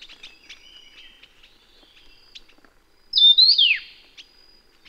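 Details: Taiwan yuhina, a bird endemic to Taiwan found in low, middle and high mountain areas: faint scattered chirps and a thin whistle, then one loud, bright phrase that rises briefly and slurs steeply downward, with soft chips afterward.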